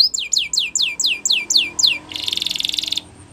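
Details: Spanish Timbrado canary training song: eight loud downslurred whistles about every quarter second, followed by a dense buzzing rattle roughly one second long.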